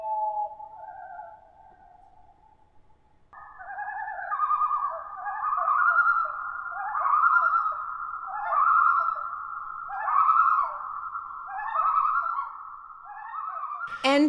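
A loon gives a clear two-note wail for about three seconds, then a long, quavering tremolo that swells and fades in repeated waves. A brief noise ends it.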